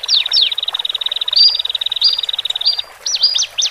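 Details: Caged Horsfield's bush lark song from a male and female pair, for helping newly separated birds adjust: a quick pulsing trill punctuated by brief whistles, ending in a few sharp, steeply slurred chirps.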